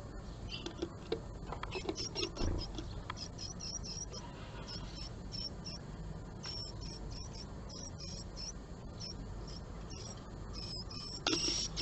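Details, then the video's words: Japanese tit at a nest box on 20 March 2022, where a female came to a male three times in the morning. Rapid series of short, high, thin chip notes runs throughout over a steady low background rumble. "お相手、来ました。【 シジュウカラ 2022.3.20 】"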